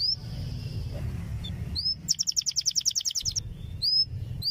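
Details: Canary tutor song meant to prompt young canaries into singing: scattered rising chirps and a thin held whistle, then a quick ringing trill of about a dozen notes, over a constant low background hum.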